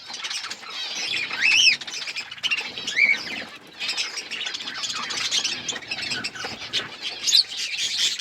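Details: Budgerigars feeding on seeds in an outdoor aviary in a forest environment; constant high, scratchy chattering with squeaky up-and-down whistled notes and short squawks from several birds.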